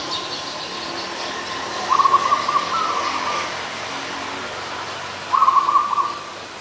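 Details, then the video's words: Adult zebra dove at Ubon Ratchathani, Thailand, 24 December 2020, giving two rapid rattling coo-trills a few seconds apart against a steady hiss of background noise. "นกเขาชวา (Zebra Dove)"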